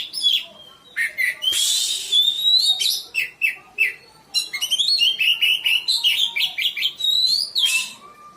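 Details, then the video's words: Oriental magpie-robin (kacer) singing, used as a lure for birds reluctant to sing: a rapid, varied stream of bright whistles, rising slurred notes and chirps, broken by harsh rasping bursts. "PANCINGAN KACER MALAS BUNYI...DI JAMIN BUKOR"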